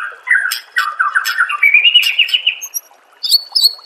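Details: White-rumped shama master song for training caged birds: a rich run of warbled notes sliding upward, then sharp high whistled notes near the end, with faint background sound.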